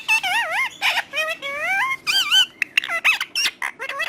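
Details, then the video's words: Talking parrot giving a rapid string of wavering, whistled and squawky mimicked syllables, sliding up and down in pitch, some clear and tonal, others harsh and clipped, in quick succession. "Romeo One Of The Best Talking Parrot"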